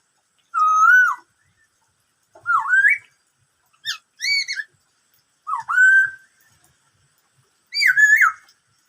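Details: Black-throated laughingthrush song in the "bắt cô trói cột" style, five clear whistled phrases with wavering, upward-sweeping notes, one broken into quick short notes, spaced a second or more apart.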